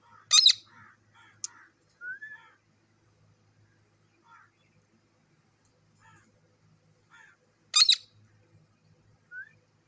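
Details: Parrot giving its natural voice: two loud, harsh squawks about seven seconds apart, separated by scattered short chattering notes and a couple of brief rising whistles in otherwise quiet surroundings.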